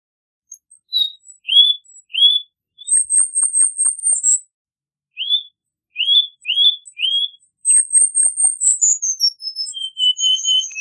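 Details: Cuban bullfinch with short upslurred whistles repeated about every second, broken by fast, very high trills and a closing level whistle. A few faint clicks are heard between phrases.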